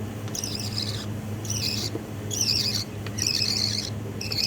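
Budgerigar chicks give high, raspy, buzzy calls in short bursts about once a second.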